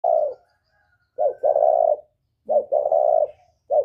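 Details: Spotted dove in the northern Vietnamese whistle-voiced style, calling to provoke wild doves: mellow mid-pitched coos in short bursts, a clipped note followed by a longer level coo, repeated about every 1.2 seconds against a quiet background.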